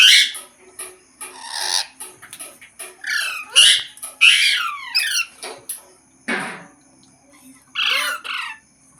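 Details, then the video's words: Green parrot vocalizing and talking in loud, dense bursts of harsh and sweeping notes, some buzzy and some whistled, with brief pauses between phrases. "Green Parrot Talking Natural Sounds | Tote Ki Awaaz | Mitthu Ki Awaaz"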